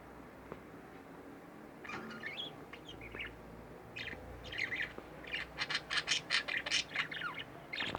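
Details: A pair of home budgerigars starts with quiet warbles, then breaks into fast, regular, buzzy chirps repeated several times a second, bright and scratchy toward the end.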